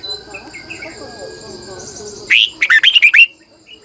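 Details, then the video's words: Red-whiskered bulbul lure song in the morning, long twisted double voice sung hard: a sudden phrase of loud fluty warbles, about six notes dipping and rising, with soft distant chirps and insect-like hiss before it. "Luyện chào mào hót sáng 2020, Giọng kép xoắn dài hót căng, Chào mào mồi gọi bổi hót hay"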